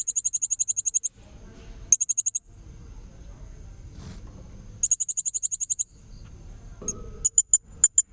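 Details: Blue-crowned hanging parrot song used to train young magpie-robins: fast runs of piercing high pulsed notes, repeated several times, ending with a string of separate sharp thin chips over low rumbling noise.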